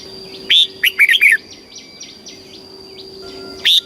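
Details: Red-whiskered bulbul kept caged in Thailand, singing southern master-style song for stimulating and training birds. One full phrase of quick, bright whistles is followed by soft chirps from another bird and the start of a second phrase.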